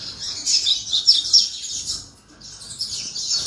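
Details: A canary pours out a dense, continuous high warble of rapid chirps, dipping briefly before resuming its fast, twittering song.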